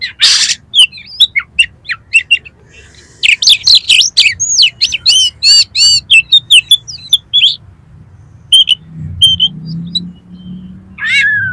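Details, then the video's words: Oriental magpie-robin (kacer) in energetic competition-style song packed with 'miuntah' fill material, offered as a lure for contest birds: a loud burst, then fast varied whistled notes and rising-falling slurs, a quieter pause, and a final downslurred whistle. "KACER GACOR FULL MATERI MIUNTAH ISIAN || COCOK UNTUK PANCINGAN KACER LOMBA"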